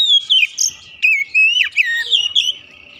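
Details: Home-kept Oriental magpie-robin delivering a continuous run of sweet, slurred whistles and short warbled notes, with little pause between phrases.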